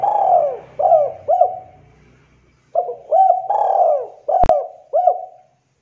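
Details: Local spotted dove giving its manggung call, used as a lure: soft, low cooing phrases of short rising-falling notes followed by a long drawn coo, repeated twice with a brief pause, plus one sharp click near the end.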